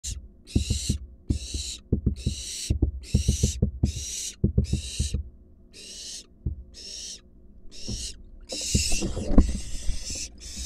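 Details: Wild barn owl fledgling in a monitored nest box as an adult brings a large rat. Harsh, breathy hisses repeat roughly every second, mixed with low knocks and scuffling thumps.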